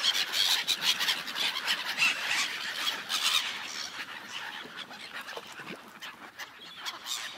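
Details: On an ice lake, a flock of gulls gives a dense chorus of overlapping high, squealing cries, busiest in the first few seconds before thinning out; gull.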